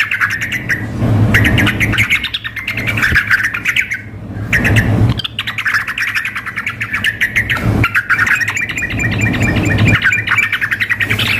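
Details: Sooty-headed bulbuls, a female calling to a male alongside a wildly singing bird, arranged as contest practice; dense, rapid chattering with rising and falling notes almost without pause, a brief gap, and a steady low hum beneath.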